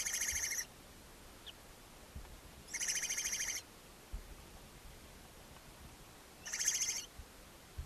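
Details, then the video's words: Barn owl mother feeding seven owlets in a chimney-side nest box, Ságvár, Hungary, May 4, 2024; three drawn-out harsh hissing screeches, each under a second, spaced roughly three seconds apart over quiet background. "Barn Owls (Ságvár, Hungary) | Owl Mom feeding her seven owlets"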